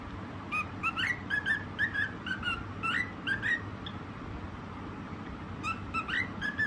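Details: White cockatiel whistling its song in two spells of quick, tuneful notes with upward slides, a silent stretch in the middle, and a low hum throughout.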